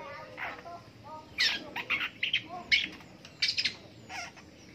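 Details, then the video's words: Long-tailed shrike heard in the morning: a few faint thin whistles, then bursts of harsh, scratchy notes, some paired in quick succession, spaced irregularly over several seconds. "DENGERIN PENTET BUNYI DI PAGI HARI"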